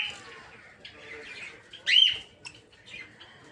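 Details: Peach-faced lovebirds, also called rosy-faced lovebirds, kept for breeding in an aviary, including opaline, dark green, blue and lutino colour types: one loud, shrill arched shriek stands out from softer background chatter.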